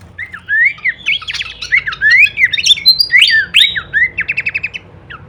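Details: Masteran recording of Horsfield's babbler singing kleperan with full variation: varied slurred whistles and squeaky notes, then a fast series of short repeated buzzy pulses near the end.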